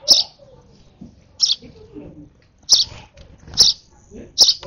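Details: Hand-reared sparrow nestling gives about five shrill, high begging chirps, irregularly spaced, over low murmuring and handling noise during feeding.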